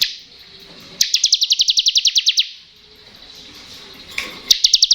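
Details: Ngebren-style song of a bar-winged prinia, meant to coax untrained or reluctant birds to sing: a long, fast train of sharp, high, buzzy pulses, a quiet pause, then a second rapid burst starting at the end.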